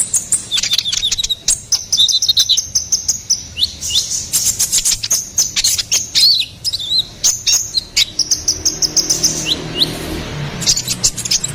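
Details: Ruby-cheeked sunbird in lively chattering song, used for luring and tutoring songbirds. Rapid high ticks, trills and thin whistles run almost without pause, thinning toward the end over a soft low hum.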